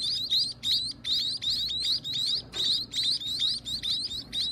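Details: Baby birds at feeding time, kept by their owner, begging loudly. Shrill, high chirps come in quick bursts of about two per second, with a steady low hum underneath.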